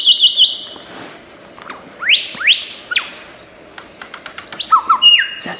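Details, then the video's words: Lyrebird, an Australian forest bird known for imitating other sounds, giving a varied mimicry song: a steady high whistle, then sweeping rising and falling whistles, sharp clicks and a flat whistled note. "Lyrebird gacor 1001 macam suara"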